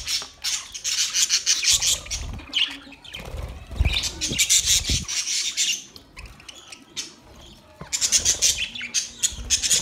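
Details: Several budgerigars share soft food on 3 October 2023; loud scratchy chatter comes in three long bursts separated by quieter spells of thumps and rustling.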